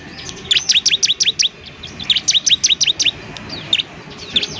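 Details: Semi-fluent bar-winged prinia used to train other birds into quick singing, giving two rapid series of bright, high, down-slurred chirps, each about eight notes, then a final lone chirp, with low background rumble.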